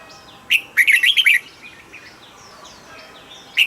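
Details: A cage-kept red-whiskered bulbul gives one rapid phrase of a single sharp note, then five or six tumbling warbled whistles, and starts another at the end; soft background chirping from other birds.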